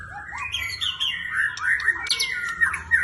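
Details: Black shama, a competition fighter bird, in full active song: a dense run of whistled and warbled phrases sliding between mid and high pitch, with rapid chips and trills packed closely together and low background hum.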